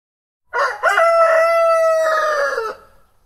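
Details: Domestic rooster crowing in the morning: one long cock-a-doodle-doo, a short rough opening then a sustained, harmonic-rich held note falling slightly at the end, about two seconds, with no other sounds.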